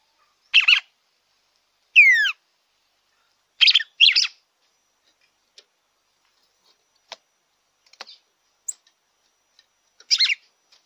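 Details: Captive-bird stimulation song of the red-cowled cardinal: a warbled burst, a rapid series of descending whistled slurs, a double phrase, then quiet clicks before a final phrase.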